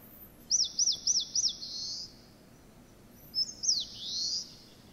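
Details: Eastern crowned warbler, a summer visitor of leafy woods, sings four quick, high, looping notes and then a drawn-out buzzy note, rendered in Japanese as "shōchū ippai guī"; a second, shorter phrase starts about two seconds later.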